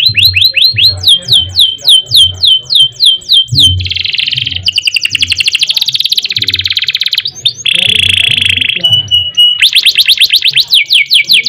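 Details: Canary delivering a long, loud ngerek, ngerol and nembak song for tutoring and luring other birds: strings of sliding high sweeps, dense buzzy rattles, a brief thin whistle and fast high trills, almost without pause.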